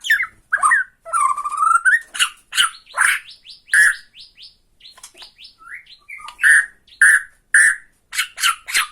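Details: Bornean white-rumped shama (murai batu Borneo) singing to provoke another shama: a long rising buzzy trill, then loud clipped whistled notes and chattering bursts, repeated about twice a second with short gaps.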